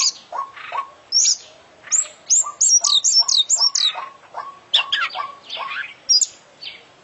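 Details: Oriental magpie-robin (kacer), an international champion in full, constant song packed with imitations: a string of very high, sharp whistled notes over a steady pulse of lower chips, ending in tangled chirps.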